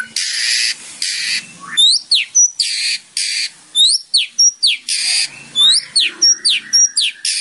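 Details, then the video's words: White-rumped shama (murai batu) song used as training audio for other birds: broad harsh rasping bursts alternating with sharp whistled upslurs and clear notes, delivered in a rapid, irregular sequence. "MURAI BATU / WHITE RUMPED SHAMA SONG"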